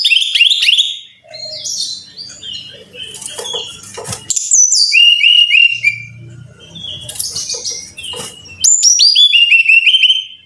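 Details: Brown-chested jungle flycatcher song used as training material for caged birds: bright whistled phrases with stacked, quickly descending notes, delivered in bursts separated by pauses, with a low background hum between phrases.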